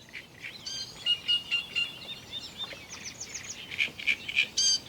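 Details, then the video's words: A great reed warbler sings from the reeds in the distance on a Rhine river floodplain in the Netherlands during the breeding season: a loud, busy string of chattering notes, short whistles and harsh trills, several per second, against a faint outdoor hiss. "the great reed warbler."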